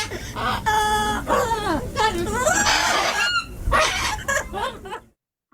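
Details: Macaws in Panachi park, Santander, northern Colombia: a run of harsh, harmonic-rich squawks, some level and some arching, following one another rapidly before the sound cuts off into silence.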